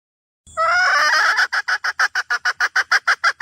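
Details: Wild red junglefowl hen calling the rooster, opening with a strained, rising drawn note that breaks into quick repeated harsh cackling notes about three per second.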